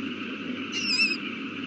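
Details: Owl at the nest with a newly hatched chick, 8:32 pm on April 18, 2019: one short, high, slightly wavering squeal with a thin upper overtone, heard over a steady electronic hum.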